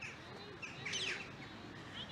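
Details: Flock of rose-ringed parakeets in trees overhead by the River Bollin, Cheshire, on a December afternoon with the sun low, giving harsh, high screeches with one louder burst of squawks in the middle and fainter calls around it.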